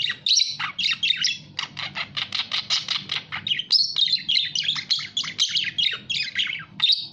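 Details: Budgerigar producing a steady stream of short rhythmic chirps and scratchy squawks, about four notes per second, with a few higher whistled notes.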